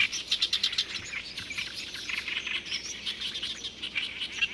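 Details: Oriental Reed Warbler, one of a breeding pair, in Jindong-ri, Inje, Gangwon, Korea, sings a loud, nonstop stream of harsh, croaking and chattering notes, short phrases repeating rapidly with squeakier high notes.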